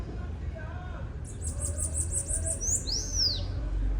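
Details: Bananaquit singing: a rapid series of very high, thin, buzzy repeated notes, about seven in quick succession, ending in a couple of sweeping whistled slurs that rise and fall; faint low background hum.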